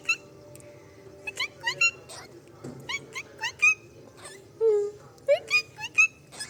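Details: Two pet cockatiels in their cage give short, bright chirps with sharply sweeping pitch, repeated in quick bursts.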